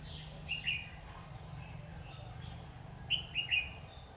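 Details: Red-whiskered bulbul with white cheeks, singing at a bird trap on 12 August 2019: two brief bursts of bright, clear whistled notes about three seconds apart over a steady low hum and faint background hiss.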